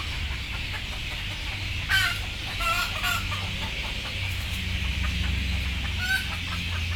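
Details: Chickens, described as sleepy and frightened before boarding, utter scattered short squawks and tonal cries, one near the start, a pair shortly after, another near the end, over droning low machinery-like noise.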